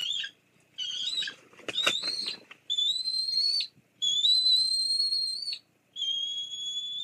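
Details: Bald eagles at a nest: the female drives the male off after he delivers a fish. Series of high, thin whistled notes, several long sustained tones with slight upward inflections, separated by short pauses.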